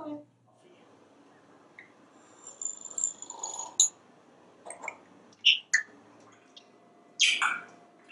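A parrot mimics slurping with wet, sucking bursts and sharp squeaky smacks, irregular and roughly every second or two; a brief human voice opens.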